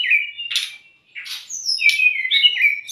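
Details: Brief bout of brown-chested jungle flycatcher song, a trigger recording for caged young or stressed birds: slurred whistles and chirps broken by short buzzy bursts, with a brief silent gap.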